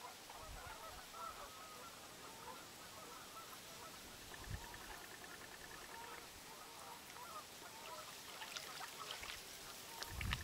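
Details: Collared Trumpeter Swan and its uncollared mate in Crex Meadows Wildlife Area refuge, Grantsburg, Wisconsin, on 4 April 2008, give repeated nasal, horn-like honks over steady background hiss with a few low wind thumps.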